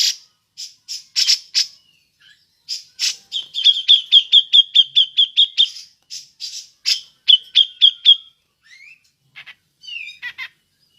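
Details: Lure call of a cucak jenggot in the ngepik style: scattered short clicks build into a fast even series of ringing pips, about twelve in three seconds, a second shorter run, then slurred notes and sparse clicks.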